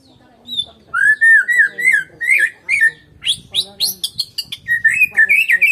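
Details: Medan-type white-rumped shama in solo song with no rival: a smooth run of slurred whistles, then a busy mix of high chips and rapid warbles, ending in bright wavering whistles.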